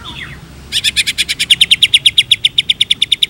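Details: White-rumped shama giving a brief whistled slur, then a loud dry chattering rattle of about twenty harsh pulses, roughly seven each second, held steady to the end.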